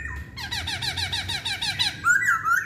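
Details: Chinese hwamei singing a fast run of repeated squeaky, slurred notes, about six per second, then a bright sustained whistled phrase at the end.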